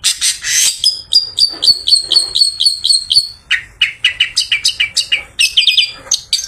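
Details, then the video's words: Post-bath song of a long-tailed shrike meant to lure other shrikes in the afternoon: a harsh burst, then a steady run of high clipped whistles, lower chattering notes and more mimic-like squeaks, delivered at about four per second. "Burung Pented Habis Mandi Bikin Seger || Cocok Buat Pancingan Pented Sore Hari"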